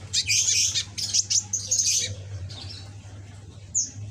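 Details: Young red-backed green sunbird kept as a pet, learning to sing: a fast, dense, high scratchy twitter in the first two seconds, then quiet until a single high downslurred whistle, over a low hum.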